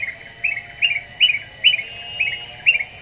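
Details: Energetic Black-winged bulbul lure song: seven moderately loud, slightly burry chirped notes, each rising and then trailing off, spaced about every half second.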